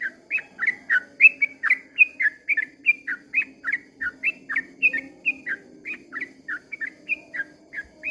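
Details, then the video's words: Sooty-headed bulbul in long 'ropel panjang' dawn song, chattering out fast, liquid whistled notes, each a short slur, in a continuous run of about three per second with a soft low hum beneath. "kicau suara trucukan ropel panjang di waktu fajar"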